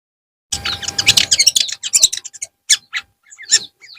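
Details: Long-tailed shrike in the afternoon: a dense burst of scratchy, twittering notes that thins into scattered sharp chips and short downslurred whistles.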